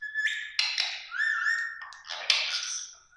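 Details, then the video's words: Green ring-necked parakeet, a pet indoors, vocalizing at its own reflection in a mirror as if facing another parrot: a clear whistled note, harsh chattering bursts, then a long, rising whistle followed by more scratchy chatter. "Parrot talking with mirror"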